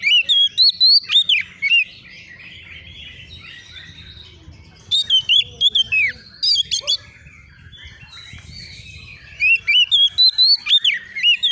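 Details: Agitated young Oriental magpie-robin answering a rival, singing three bursts of rapid whistled phrases with sweeping slurs and sharp chips, separated by quieter gaps of faint background chirping.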